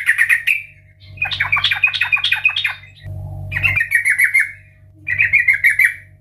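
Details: Loud sooty-headed bulbul 'ngeplong' song used as a lure: a short trill, then a long stuttering phrase of chattering notes, followed by two more rippling phrases, with a low hum beneath.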